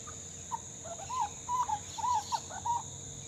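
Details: Grey butcherbird fledgling chatting: soft, short whistled notes, some rising and falling, in a loose warbling run, with a faint steady hum in the background.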